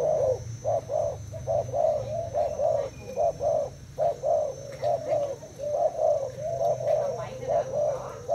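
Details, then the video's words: Spotted dove of Thai origin, caged two days, cooing against a decoy: clipped low coos in groups with short silences, over a steady low humming background. "Cu gáy thailand đấu gù mồi trần 2 ngày lồng"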